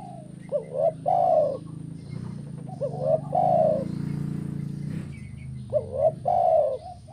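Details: Kuk 1 call of a spotted dove. Repeated phrases of a quick wavering coo followed by a longer, fuller coo, heard over a constant low rumbling background.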